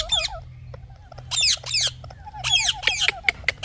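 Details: Parrot chirping: bursts of harsh, raspy squawks with rapid wavering notes, clustered near the start, around one and a half seconds and again from two and a half seconds, separated by short clicks, over a low steady hum.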